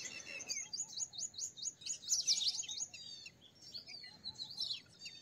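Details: A purple sunbird gives a rapid series of high, repeated upslurred notes, then a loud squeaky burst and more scattered twittering.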